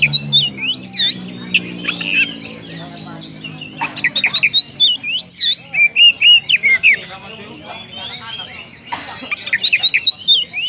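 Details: , Oriental magpie-robin calling a rival: loud bursts of sharp whistled notes, slurred upsweeps and buzzy trills in quick runs, pausing near four seconds and again before the end; a low droning hum sounds under the opening seconds.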